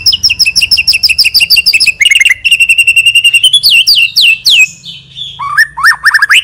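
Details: Constantly singing white-rumped shama with varied mimicry fills, offered as lure song: dense rapid repeated chips, buzzy rattles and long sliding whistles, ending in rising and falling looping whistled phrases.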